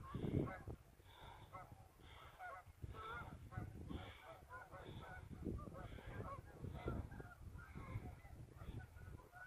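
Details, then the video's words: River geese heard on a short afternoon scouting trip on 12 11 17; repeated nasal honks about every half second to second, several birds overlapping, over heavy low-pitched wind or handling noise. "River Geese"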